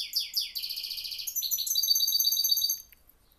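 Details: Goldfinch hybrid singing: fast runs of high, bright chirped notes, then a continuous twittering warble with buzzy trills that fades out near the end.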